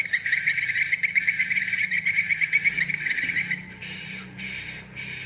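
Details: Edited swiftlet lure track (PJW) mixing courtship 'birahi' calls and wing-flap sounds: rapid, dry clicking twitters, a dense run of high chips, then several thin rising whistled notes.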